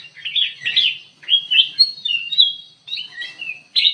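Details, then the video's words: Kutilang emas bulbul kept in an aviary, singing lively: short, bright whistled phrases, some slurred upward and some dropping, separated by brief gaps, over a faint low hum. "KUTILANG EMAS GACOR DIDALAM AVIARY"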